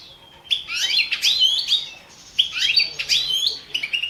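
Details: Caged balcanica goldfinch recorded for a 2017 world song contest; a thin whistled lead-in then tumbling, liquid twittering phrases, pausing briefly before a second tinkling run.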